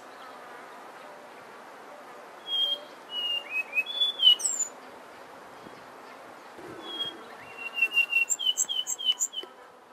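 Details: Brown scrub robin song: a phrase of clear, descending slurred whistles, a pause, then a rapid series of repeated whistled notes with high, thin twittering above; a soft low hum in the background.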